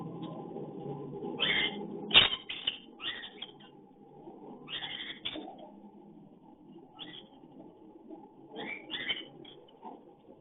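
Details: Cockatiel calls during breeding, captured on a hidden camera: short, harsh chirps in clusters, some doubled, scattered through the clip with gaps of about a second, over a steady low hum.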